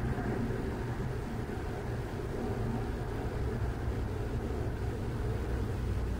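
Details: Continuous low rumbling noise, like vehicles or wind, and no calls from any animal.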